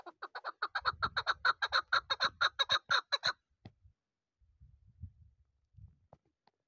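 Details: Young chukar partridge from this season, kept for hunting, giving a rapid series of about twenty harsh, evenly spaced chuk notes over three seconds, then falling silent apart from a few low thumps and handling noises.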